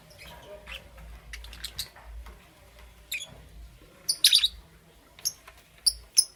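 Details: Morning chirping of lovebirds, Parblue Euwing Green Opaline and Green Opaline: a busy series of short, sharp, high chirps, quiet at first and then louder, with a strident burst near the middle and several clipped notes after it.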